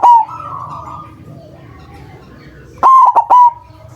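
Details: Lure recording of a loud white zebra dove for trapping doves; a trailing coo opens, then after a pause a crisp burst of three loud cooing notes.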